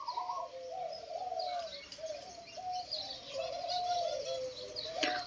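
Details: Spotted dove (Spilopelia chinensis), a young captive bird with a loud, mid-pitched voice like its father's, gives soft, low, hollow coos in short runs of a few notes, with faint small-bird chirps and a brief clatter near the end.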